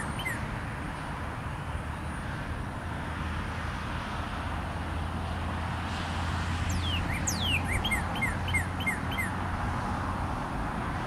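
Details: Male northern cardinal song recorded 22 February 2013: after quiet background hum, a burst of long downward-sweeping whistles gives way to about five short, evenly spaced slurred notes repeated rapidly, with low rumbling noise beneath.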